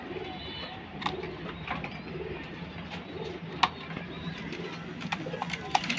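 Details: Jacobin pigeon cooing indoors, soft low arched coos repeated about every second, with high chirps from other birds, clicks and background hum.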